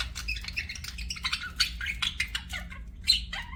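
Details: Budgerigars chattering rapidly, with thin chirps, short squawks and clicks tumbling together above a faint low hum.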